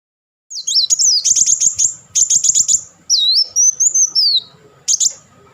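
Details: Kolibri wulung, or Van Hasselt's sunbird, delivering rapid chattering bursts: clusters of very high, sharp ticking notes alternating with a thin, looping whistled phrase, loud and close.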